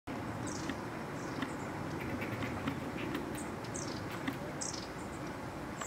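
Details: Long-tailed tits (long-tailed bushtits) arriving in November 2015 give thin, very high chirps and short tsit notes, scattered irregularly over several seconds above a steady low rumble and hiss.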